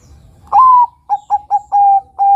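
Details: A young Bangkok-type zebra dove (perkutut) gives a soft, mellow coo: one drawn-out note, then a quick run of short clipped notes and two longer ones at an even pitch.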